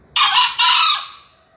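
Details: Young male green junglefowl (Gallus varius) in a crowing contest final, Surabaya, 28 February 2020 at 5 am, gives a single short, hoarse two-part crow, the second note harsh and drawn out, about a second long.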